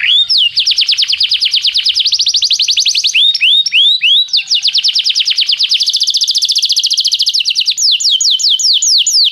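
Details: Canary training song: loud and continuous, with long fast rolling trills broken by a few slower downward-slurred whistles, ending in a run of quick swooping notes.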